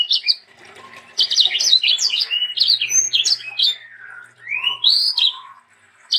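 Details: Sanger singing to teach young birds: a brief note, a softer pause, then a busy run of chirps and slurred whistles ending in drawn-out rising and falling whistles.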